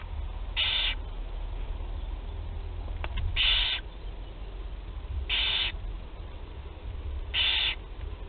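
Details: First feeding of barn owl chicks, Théding, France, 8 July 2020. Four short, loud hissing screeches arrive about every two seconds, with a single sharp click between the second and third, over a faint low background drone.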